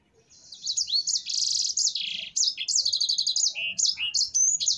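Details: Gacor ngerol song of a sanger finch, used as a master tutor recording: dense, high trilling and buzzy sustained notes mixed with quick whistled flicks, starting softly and building into a near-continuous chatter.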